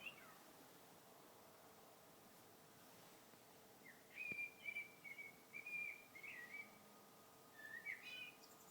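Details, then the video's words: Bird singing in February: after four quiet seconds, a run of short, clear whistled notes wavers and dips for about two seconds, then a brief higher twittering phrase comes near the end, faint and fairly distant over a low steady hum. "Vogel singt."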